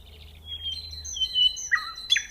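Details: Nightingale song opening with soft, thin whistles held at one pitch, then a sharper phrase of descending notes ending in two loud clicking accents.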